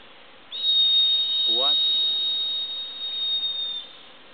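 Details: A juvenile great black hawk, one of two seen, on the road to Caracol in Chiquibul Forest Reserve gives a long, thin, steady high whistle of about three seconds, among repeated calls; a brief human voice cuts in midway.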